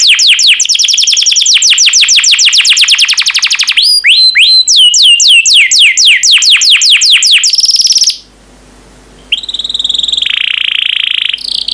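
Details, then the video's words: Yellow canary song of fast repeated downward-sweeping notes changing into hooked upslurred phrases, then a short pause and a steady rolling trill. "Burung Kenari Kuning yang Cantik || Suara Merdu & Warna Menawan"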